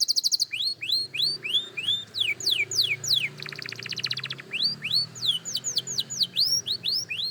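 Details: Young canary practising its song: quick high whistled notes, each sweeping upward or downward, given in fast runs, broken midway by a dense buzzy trill before the rapid whistled strokes resume.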